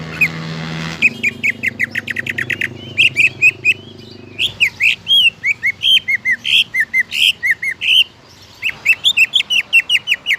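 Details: Greater green leafbird, song meant to spur other leafbirds into song; after a low background hum fades, long strings of fast, sharp chirps and varied slurred whistles run almost continuously, broken by brief pauses.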